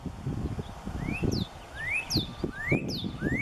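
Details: A northern cardinal sings in the setting sun on April 20, 2020, giving clear rising whistles about every two-thirds of a second with sharp high down-slurred notes between, over a steady low wind rumble.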